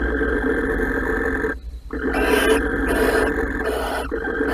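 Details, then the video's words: Mating barn owls in a nest box, Holten, 16 March 2020. A continuous raspy hiss drops out briefly, then returns with three louder, harsher screechy bursts. "Kerkuil Holten 2020 03 16 paring in de kast"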